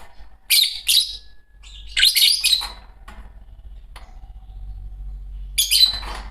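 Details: Green Fischer's lovebird pair chirping in short harsh bursts, dense high chatter clustered around one and two seconds and again near the end, quiet gaps between, faint low hum beneath.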